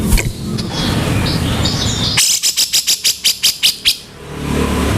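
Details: Grey-cheeked bulbul master recording for training songbirds, harsh 'kasaran' style with speed: a fast burst of about twelve rough, buzzy broadband notes in under two seconds, over a noisy background with a faint vehicle-like rumble.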